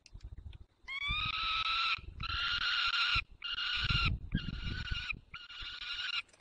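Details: White stork at a nest in the Barycz Valley on 9 June 2020 at 10:54, calling to adopted young; the nest holds one own and three adopted chicks. Five long, nasal, harmonic calls, each about a second, with short gaps and low rumbling beneath.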